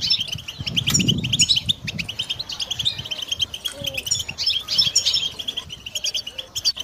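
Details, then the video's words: Goldfinch kept for song training delivers fast liquid twitters and high chirping trills in near-continuous runs, with a low thump near the start and light room noise underneath. "The finest goldfinch chirps and songs for listening and training birds"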